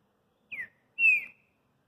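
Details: Pet green-winged saltator singing in an otherwise silent setting: a brief high whistle sliding downward, then a longer, clear, level whistled note that fades slightly at the end.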